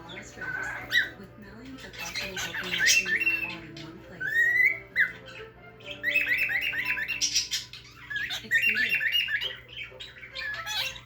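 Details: Lutino cockatiel talking and making other noises: squawky speech such as "birdie" and "peekaboo" and rising whistles, with faint background music and a voice.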